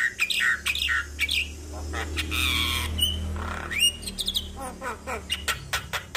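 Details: Javan myna's morning lure song, played to spur a reluctant myna into singing: harsh squawks, clicks and short rising whistles in uneven bursts, over a steady low hum.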